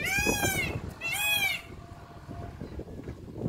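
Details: An Indian peafowl, filmed around a peacock flying, gives two loud, nasal, wailing calls about a second apart, each slightly arched in pitch, over low background rumble.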